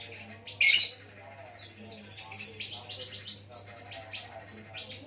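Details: Ruby-cheeked sunbird with lovebird-song tutoring, said to lure fellow sunbirds into singing. One loud harsh burst opens, then a quick series of short sharp high chips repeated several times per second, with a background hum.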